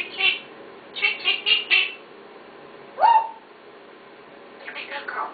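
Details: Talking pet parrot indoors: a quick run of four harsh, squawky syllables, then a single swooping rising note, and later a soft mumbled phrase.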